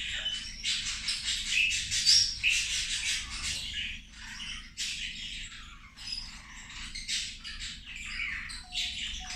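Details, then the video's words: A flock of zebra finches chatters over lunch. Rapid nasal beeps and buzzy squeaks come about two or three per second, crowding together in the first half, then thinning into scattered calls and a pause. "Australijske zebe ručak"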